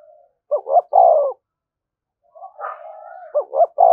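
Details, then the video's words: Cooing of a spotted dove used to lure wild birds: a phrase of two short low notes and a long coo, a pause, soft drawn murmurs, then a fresh phrase begins. "tiếng cu gáy/ cu gáy thúc gù bài bản dùng kích bổi"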